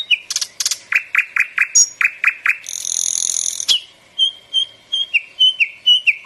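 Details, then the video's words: Common nightingale in full song: quick repeated whistled notes, a long dry buzzy trill lasting about a second, then a series of clear rising-and-falling whistles repeated roughly every half second. "Пение соловья"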